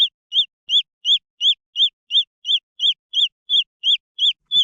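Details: High arched peeps from green junglefowl chicks, evenly spaced at close to three per second, each note clear and whistle-like, with a faint knock at the end.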